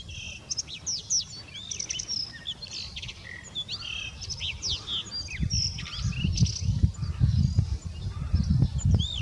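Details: Singing male blue rock thrush on 24 March 2019, giving bright whistled notes and curling, looping phrases with short pauses between them, against continuous low-pitched background noise that grows louder toward the end.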